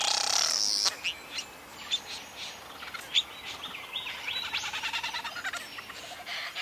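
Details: A satin bowerbird courting: a loud hissing burst at first, then scattered sharp chirps and short buzzy notes that build into a quick, uneven series of churring pulses.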